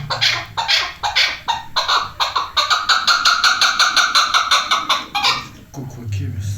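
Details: Chukar partridge, apparently a female, calling in fast, repeated harsh chuck notes, about three per second, building into a rapid chattering series; a low hum, faint voices and laughter underneath.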